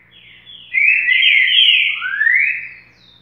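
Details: Green-winged saltator giving a boca mole song phrase: loud, slurred and overlapping whistles, ending in a clear rising note and a short higher tail, over a faint low hum.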